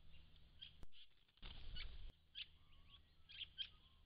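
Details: Large flock of White-browed Woodswallows visiting a pond in December 2016: a series of short, high chirps, some clustered in quick pairs, with bursts of wing flapping and a low background rumble.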